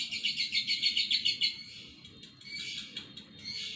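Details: Lovebird giving a fast, high, buzzy chatter of evenly pulsed notes, about three to four per second, for a second and a half, then trailing into softer, broken twittering.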